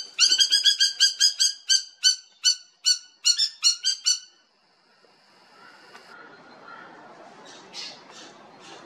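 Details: Spur-winged lapwing at the Los Angeles Zoo on 21 March 2021, around a chick ducking for cover: a run of sharp, metallic, high-pitched notes in quick bursts for four seconds, then murmuring crowd noise and faint squeaks.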